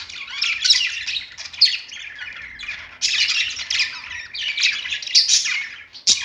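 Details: Pet budgerigars singing on a perch: dense, continuous chattering warble of scratchy chirps and squawks in bursts, several birds overlapping, with brief pauses between phrases.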